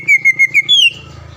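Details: Green leafbird, a lure recording meant to make rival birds sing at once and become agitated: four short clear whistled notes at a steady pitch, then a longer, higher whistle sliding downward before fading into low background hum.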